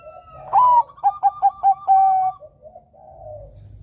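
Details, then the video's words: Zebra dove of the Bangkok perkutut type, used as a lure for other birds, sings a rising opening note followed by four quick stuttered coos and a long steady tone, fading into faint softer cooing. "Suara burung Perkutut Bangkok Gacor Kutut Bangkok gacor ini cocok untuk Pancingan Kutut Bangkok"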